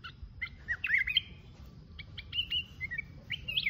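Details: Red-whiskered bulbul, a mountain bird singing solo: short warbled, slurred whistled phrases rising and falling, given in bursts with brief pauses, over faint low background rumble.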